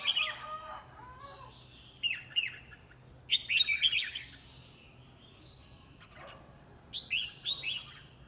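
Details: Competition singing by a red-whiskered bulbul: short bursts of clear, slurred whistles and chirps come in separate phrases with quiet gaps, over a steady low background hum.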